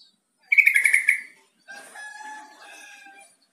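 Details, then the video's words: Yellow-vented bulbul call played to make a kept bird answer and start calling: a quick burst of bright, chattering chirps, then softer, lower wavering whistled notes trailing off after about three seconds. "SUARA PANGGILAN TRUCUK"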